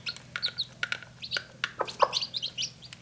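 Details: In Normandy, a mother hen calls her newly hatched chicks to food with quick, repeated low clucks, mixed with the chicks' high, thin peeping; she calls them rather than eating the food herself.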